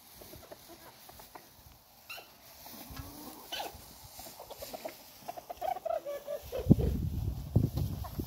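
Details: Chickens eating outdoors, giving scattered short clucks and a few higher drawn-out notes, irregular and faint at first, growing louder toward the end with low thumps and rustling.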